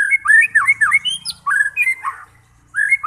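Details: Rich, fluty whistled phrases of a White-rumped shama, used to provoke fighting birds into singing: quick looping notes with overlapping high tinkles, a brief pause, then the melodious whistling resumes.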